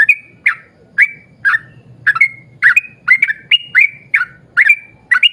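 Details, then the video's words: Yellow-vented bulbul in full voice, its long rolling song recorded as a lure to set other bulbuls singing; liquid, slurred whistled notes, spaced at first, then quickening to a rapid run of about a dozen, with faint background hum. "trucukan gacor ROPEL PANJANG buat pancingan trucukan agar bunyi"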